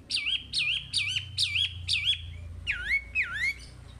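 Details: Chinese hwamei song used to train caged birds: a series of ringing whistles, each dropping then holding a level tone, repeated about twice a second, ending with deeper swooping notes.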